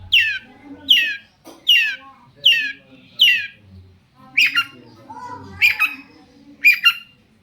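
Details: Long-tailed shrike (cendet) in full song, played as a lure to make other shrikes answer; bright notes sweeping down, repeated about every 0.75 seconds, then harsher, rougher notes with a faint low hum behind.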